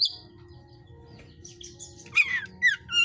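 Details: Caged Oriental magpie-robin of the hot type, kept at a breeder's aviary, gives a short mixed phrase: a high thin whistle, soft twittering, then harsh rasping bursts and sharp downslurred notes, over a low steady background hum.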